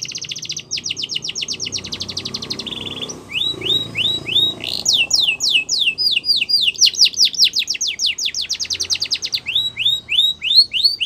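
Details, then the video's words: Yorkshire canary song meant for canary training: a fast buzzy trill, a short lower rattle, then long series of bright downward-sweeping whistled notes and rising chirps at a brisk pace. "Yorkshire Canary Song"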